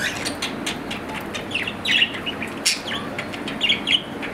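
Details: Budgerigar, an Australian parrot kept at home, producing scattered sharp chirps and short squeaky warbles in small groups, with one abrupt click-like note near the middle, over a quiet hiss.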